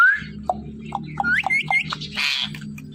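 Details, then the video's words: Talking pet parrot in its natural voice: a rising whistle opens, followed by clipped chattering syllables and a few upward-bending whistled notes, then a brief harsh burst, over a continuous low hum. "Talking Parrot Conversation In Natural Voice"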